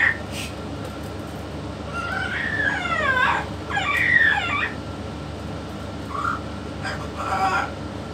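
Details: A yellow-naped amazon with a parrot expert utters two linked, wavering, speech-like phrases with falling inflections, then a few short soft syllables, against a low continuous background hum.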